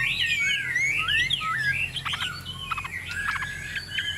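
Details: Tame Chinese hwamei on a table singing: swooping whistled slurs, then softer broken notes and scattered clicks over a low background hum.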